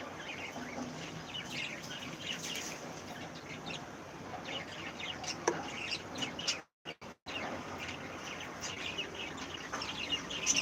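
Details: Breeding cockatiels awaiting new chicks chatter steadily in many overlapping high, brief chirps, briefly cut by two short silent gaps before the busy calling resumes.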